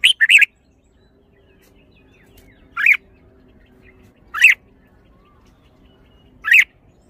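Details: Red-whiskered bulbul, a kept songbird, opening with a rapid three-note burst, then single loud chirps roughly every one and a half to two seconds, with a faint hum behind.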